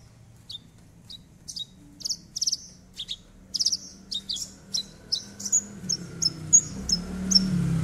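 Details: Javan bush lark singing to coax a quiet bird into song: a steady string of short, sharp high chips, roughly two or three per second and growing louder, with a low hum and faint insect-like drone behind.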